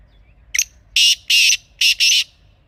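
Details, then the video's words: Kala teetar, a Pakistani black francolin, calling in the wild for a hunting lure recording: a short rasping note, then four loud scratchy bursts, two paired near the end, with silence around them. "Real Kala Teetar Sound 2026 | Best Teetar Voice for Hunting | Original Bird Call"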